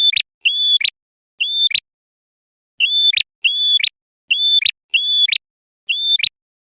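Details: Song of a male red prinia meant to draw and agitate wild birds: short pure whistles each closing with a sharp rising flick, delivered in quick bursts of two or three with brief pauses, clean background.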